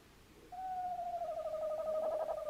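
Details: A tawny owl's drawn-out hoot, recorded 11 January 2026, starts as a smooth low tone and slides into a rapidly pulsing, trembling ending over two seconds.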